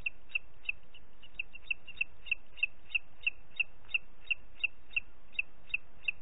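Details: Booted eagle in Parc Natural dels Ports, 30 June 2021 at 11:01, giving a long series of short, shrill, high notes, about three per second, over a low background rumble.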